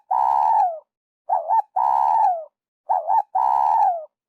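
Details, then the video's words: Spotted dove calling, a sound used by trappers as a lure at An Khe, Vietnam: deep husky coos in phrases, a short wavering double note then a long falling coo, repeated regularly with brief silent gaps. "Tiếng chim cu gáy dành cho ae đi bẫy"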